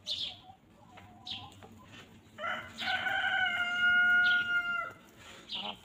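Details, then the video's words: Farm chickens walking freely and pecking at fresh grass: one long, loud, harmonic crow held steady for over two seconds and ending abruptly, amid repeated high chirps of small songbirds before and after. "Chickens Pecking and Clucking"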